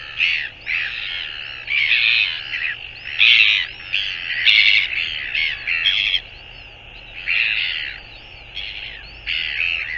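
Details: Northern royal albatross, 24 January 2022, giving irregular clusters of hoarse, squawking calls and a few sharp clicks, with quiet spells between bursts and a soft hiss throughout.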